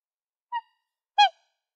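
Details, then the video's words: Black swan giving two short, musical bugling notes, a soft one then a louder, slightly falling one about two-thirds of a second later, otherwise quiet; presented as a swan hunting call. "Black Swan Bird Sound"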